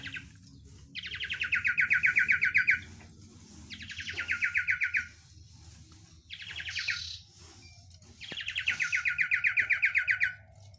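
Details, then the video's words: An Oriental white-eye delivers repeated sirtu bursts. Each dense, rattling train of quick chirps lasts one to two seconds and is separated by short pauses, with one thinner, higher burst in between. "sirtu isian luber banyak pedes"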